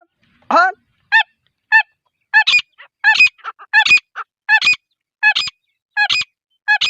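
A female grey francolin gives loud, nasal, ringing notes about every half second, with softer, shorter notes slipped in between; nothing else is heard.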